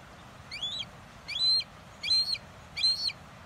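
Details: A red-shouldered hawk in Owens Valley gives four loud, high, harsh kee-ah notes, spaced about three-quarters of a second apart, over a faint steady background hiss.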